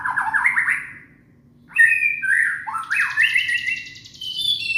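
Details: Young white-rumped shama from Indonesia singing, offered as a lure to prompt silent shamas to sing: rising whistled phrases sliding upward in steps, a pause, then more looping whistles with a buzzy high trill layered late.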